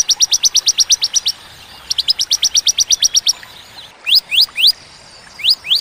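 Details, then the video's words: Bar-winged prinia (ciblek) giving tembakan song. A run of about eleven crisp, high, falling notes is followed by a second similar run, then a few separate, louder upslurred notes with gaps between them. "Tembakan ciblek ciwah cigun sadis pedas jernih berjeda"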